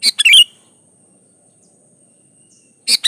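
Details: Sooty-headed bulbul in full song, meant to coax other bulbuls into singing: one quick chattering phrase of clicks and warbled whistles, a long silence, then a clipped start of another phrase at the end.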